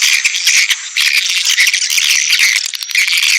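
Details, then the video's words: Swiftlets giving a dense, continuous chorus of buzzy, rattling chatter and twitters, a sustained high-pitched wall of overlapping calls with quick clicking pulses throughout. "SUARA WALET PANGGIL"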